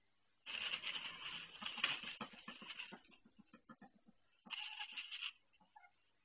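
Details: A female duck on a nest she built, calling in pain as she delivers her first egg: a long harsh rasping cry trailing into rapid short pulsed notes, a pause, then another hoarse burst.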